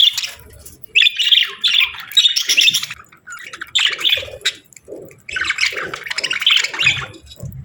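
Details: Budgerigars, a pair during breeding season, give chattering warbles in three main bursts separated by short pauses, with scratchy rising and falling notes and faint low knocks between phrases.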